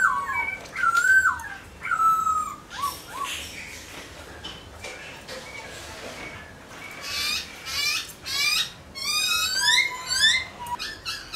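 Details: Song of a white-browed laughingthrush: scattered slurred whistles, rich in overtones, with gaps between them. Later come bursts of harsh, scratchy, rising notes, then a fresh run of whistled phrases near the end.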